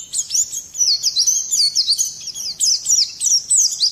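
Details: Lively Oriental white-eye song meant to spur other songbirds to sing, a fast run of thin, very high whistled slurs repeated in quick bursts with only brief pauses.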